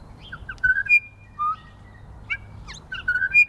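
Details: New Zealand bellbirds feeding in snow on the first day of spring, giving clear, bell-like whistled notes mixed with short chirps and quick downslurred squeaks, several within three seconds over a faint low rumble.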